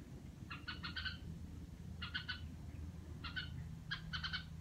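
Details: A red-whiskered bulbul kept at home makes four quick rasping bursts, each of a few buzzy notes, against steady low background noise.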